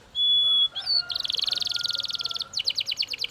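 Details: Belgian canary singing: a clear steady whistle, a brief rising note, then a rapid dense trill and a slower run of repeated high chirps.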